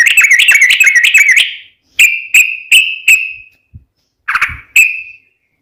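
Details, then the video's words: Sooty-headed bulbul singing to prompt other birds: a quick run of bubbly trilled notes, then four separate clear whistled notes at even intervals, a brief pause, and two more ringing notes. "SUARA trucukan gacor ropel panjang PANCINGAN TRUCUKAN agar bunyi"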